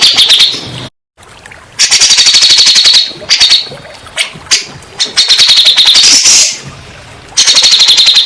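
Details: Grey-cheeked bulbul singing, a recording meant to coax stressed or mute birds into replying. Rapid staccato chatter in repeated bouts, broken by a brief silence, harsh buzzy bursts and a loud rush of notes near the end.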